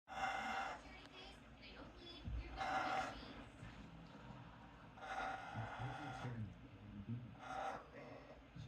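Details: A macaw, making strange noises as it reacts to a wild turkey it doesn't know what to make of, gives four harsh, raspy squawks, each under a second and a couple of seconds apart, over a low background hum.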